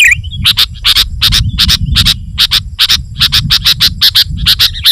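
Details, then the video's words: Sooty-headed bulbul song for drawing in wild bulbuls and pushing rivals: evenly spaced bright chirps, often doubled, repeated over five seconds, with a low rumbling background. "Suara Burung KUTILANG GACOR Rapat Menekan Lawan Ampuh Untuk Memikat BURUNG KUTILANG Liar"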